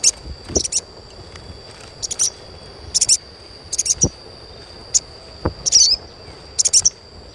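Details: Sogon chirping used to coax young untrained birds into full song: short, very high sharp chirps in small bursts, irregularly spaced about once a second, over a steady high electronic-sounding whine.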